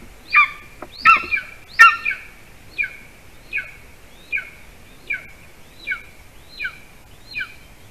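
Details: At a golden eagle nest in Latvia at 8:42 p.m. on 12 June 2020, as the adult male delivers prey to the hungry chick, thin, high, slurred yelps repeat about every three-quarters of a second, the first louder and doubled, over faint hiss.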